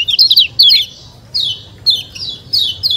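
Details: Loud, harsh-edged high chirps from a white-eye called kecial kuning. A quick double burst opens, followed by single downslurred notes about every half second.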